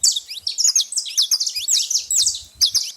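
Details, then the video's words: Chattering saffron finches at a bait feeding spot: a thick, nonstop flurry of high, squeaky, downward chirps layered over each other. "canário da terra fazendo muito barulho na seva"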